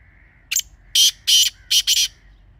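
Grey francolin giving loud, harsh, strident notes in a quick uneven series of about five bursts, with a faint thin whistle in the background.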